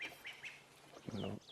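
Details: On an afternoon safari drive on a dull grey, windy 25 September 2016, a crested francolin calls from behind the vehicle with harsh, raucous notes in quick succession; a low rumble and clear, downslurred whistles from other birds follow.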